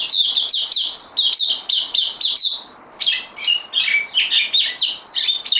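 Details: Newly loaned caged bulbul delivers rapid ringing chirps that slide downward, then shifts into lower, more varied warbled notes midway through.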